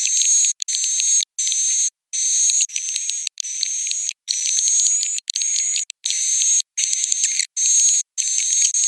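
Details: High, busy swiftlet twittering for roosting, with a steady whistled overtone, repeated in regular chunks of about half a second to a second and silent breaks between.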